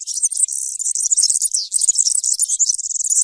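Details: Continuous 'campero'-style European serin song, meant for young birds to copy: a dense, frantic stream of thin, high, scratchy jingling notes with no breaks.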